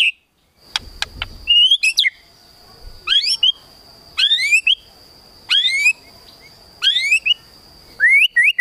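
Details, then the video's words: White-rumped shama in kretekan tembakan style, sung to stir a rival's emotion: short sharp phrases of rising and falling notes repeated about every second and a half, over a steady high electronic tone, with some clicks early. "KRETEKAN TEMBAKAN MURAI BATU MEMANCING EMOSI"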